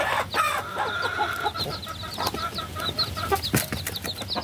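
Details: Baby chickens peeping in scattered high, slurred chirps, set against a steady mid-pitched hum and several sharp clicks or taps.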